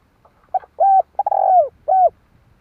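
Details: Spotted dove calling, used to lure birds into traps. The low, soft phrase opens with short clipped notes and builds to a long quavering coo before a final downward coo. A light rumble sits beneath it.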